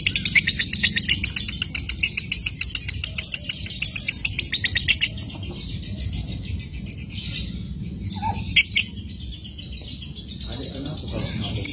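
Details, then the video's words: A lovebird ngekek, the chatter said to set off other lovebirds: about five seconds of fast, steady, high buzzing pulses, then near quiet with a few faint scattered chirps. "Lovebird ngetik sambung ngekek ampuh bikin Lovebird lain ikut ngekek"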